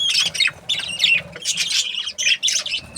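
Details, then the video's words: Australian budgerigars chirp in quick squeaky bursts and warbled phrases, choppy and loud, with short breaks between clusters. "Australian budgies parrot chirping sounds"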